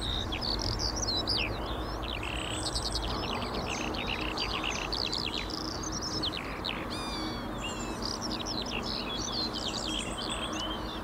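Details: Eurasian skylarks singing cheerfully, a dense, continuous stream of high, rapid chirps, trills and slurred whistles with hardly a pause, over a steady low rumble of human traffic noise.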